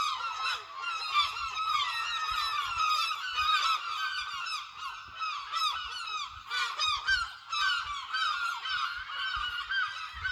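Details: Many seagulls calling together at Lossie, a steady wall of overlapping squealing and yelping cries, with bursts of louder, sharper calls near the middle and later on.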